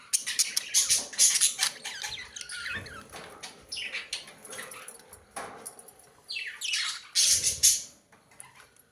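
Budgerigars chatter with bursts of high, scratchy warbles and squawks, coming in quick irregular spurts.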